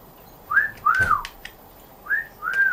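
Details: African grey parrot kept as a pet, known for talking in a Yorkshire accent, gives short clear whistles: two pairs of rising-then-arched whistled notes about a second and a half apart, with a few clicks between.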